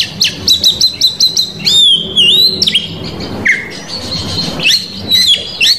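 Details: Indonesian Oriental magpie-robin singing to lure rival males: a rapid series of about six repeated high chips, then long swooping whistles, a downslurred note, and scattered bright whistled phrases.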